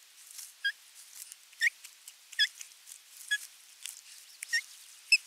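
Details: Osprey at nest no. 3 in Finland on 27 June 2022, filmed as a fish is brought and feeding follows, giving short, high, sharp rising whistled cheeps about one per second over soft hiss.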